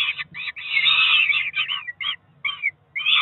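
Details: Peregrine falcon nestlings about four weeks old on a Cromer nest at breakfast, June 2023: broken, chattering harsh squeals in short bursts with silent gaps, a low hum in the background.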